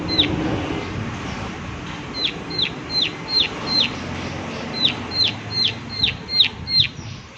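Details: A prinia calls in irregular bursts of sharp, high, down-slurred 'klik' ticks, a few seconds of calling at a time, against steady low background noise.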